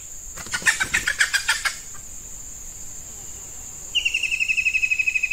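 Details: A decoy hen red junglefowl calls to draw in wild males in hot breeding weather. Sharp, clattering clucks open the clip, then a rapid, regular trill of high pulses, about four per second, runs on above constant insect hum.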